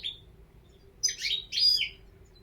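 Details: A European goldfinch gives a short high note, then two harsh, buzzy, tumbling twitter bursts in quick succession. A low hum runs in the background.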